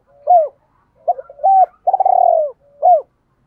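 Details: Decoy spotted dove, 'double voice' calling used to draw in wild doves: a hooked coo, two flat coos, a long vibrating coo sliding downward, and a closing hooked coo, in a quiet setting.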